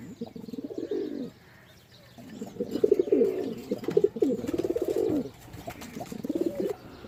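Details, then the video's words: Throaty cooing from pigeons after a quiet opening second, then dense burbling phrases with pulsing notes, a pause, and a final swelling coo. "Pigeon Sound"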